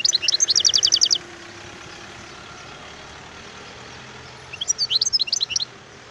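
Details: Wild European goldfinch delivering two short bursts of fast, high, tinkling trills separated by several seconds. A constant low rumble like distant traffic runs throughout.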